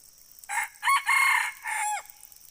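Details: Red junglefowl crowing: a four-part crow lasting about one and a half seconds, with a short opening note, two loud harsh middle sections and a final drawn-out note that falls away, over a steady high insect-like hiss.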